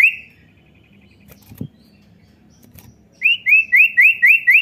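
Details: Common iora; call; prompting a young bird to start singing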